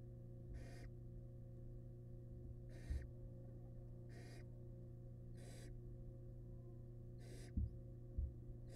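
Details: Wild barn owl family in a nest box during the male's delivery of a huge rat. Six rough hissing screeches repeated every second or so, with a few knocks and a constant low electrical hum.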